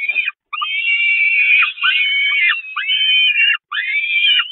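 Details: Hungry Peregrine falcon chicks on the Catharinakerk, 5 May 2021, attacking their mother; intense overlapping shrill screams, long and wavering with downward slurs at the ends, from more than one chick.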